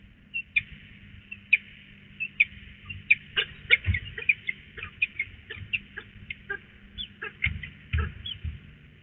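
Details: Peregrine falcon at Police, 26 April 2020, during a prey handover on a roof, gives sharp, high chipping notes, irregular at first, then quickening into a rapid run of harsh calls over a low background rumble.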